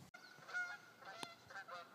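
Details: Geese flying over winter Adirondack woods in snow give short nasal honks, several overlapping in two seconds, with a sharp knock of wood being split and faint outdoor background; other birds singing nearby.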